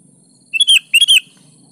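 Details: A sooty-headed bulbul gives its song, played to prompt quiet bulbuls to sing back: two quick, loud bursts of gurgling, liquid notes make up one brief phrase over a soft low hum.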